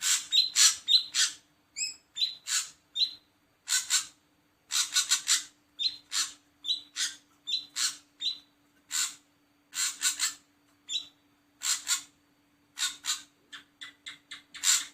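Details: Ashy drongo calling busily: rapid runs of harsh, chattering notes mixed with short whistled and metallic tones, several per second, nearly without pause.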